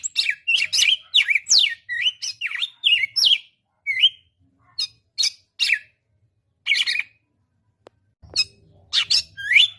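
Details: Singing red-cowled cardinal opening with a fast, dense string of loud slurred whistles, then slower spaced single notes, a pause, and a final burst of rising and falling whistles over a low background hum.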